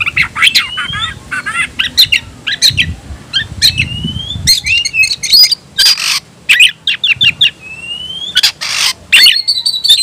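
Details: White-rumped shama calling to challenge an opponent to fight: loud varied phrases of sharp broadband chips, buzzy notes and clear rising whistles, delivered in rapid bursts with short pauses.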